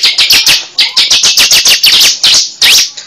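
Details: Cible bird, used as a trapping lure: a rapid sequence of loud, harsh high chirps, about four per second, with a few upward-sweeping notes near the end.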